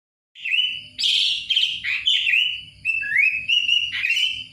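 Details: Sooty-headed Bulbul (Kutilang) singing a run of clear whistled notes, some rising and some slurred, with brief buzzy bursts between phrases and no other sounds.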